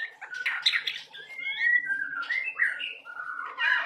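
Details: Juvenile white-rumped shama (murai batu trotolan) singing its isian repertoire: rich, overlapping whistled slides, rising and falling, mixed with harsh, buzzy high notes in a continuous flow.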